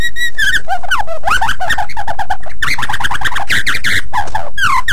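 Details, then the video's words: White-rumped shama singing in energetic gacor style, used as a master song for other birds to learn: a quick run of clear whistles, sweeping rising and falling notes and short trills, with hardly any pause between phrases. "Suara Burung Murai Batu Super Gacor Untuk Master"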